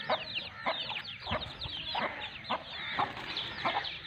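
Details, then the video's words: Aseel hen with her two-month-old chicks in Pakistan. Clipped clucks land roughly every half second, with thin, falling chick peeps filling the gaps between them. "ASEEL HEN AND HER TWO MONTHS OLD CHICKS"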